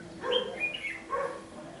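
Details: Red-whiskered bulbul at a fight trap, where birds are lured to fight, the bird fanning its tail; a brief phrase of clear whistled notes leaping between low and high pitches over a faint steady hum.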